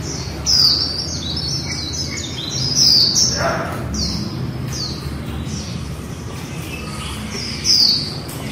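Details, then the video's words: Female white-eye in its líu song: crisp, very high, falling whistled notes in quick clusters, separated by pauses, with light twitters and a steady low hum. "Khuyên mái líu đẳng cấp THẾ GIỚI"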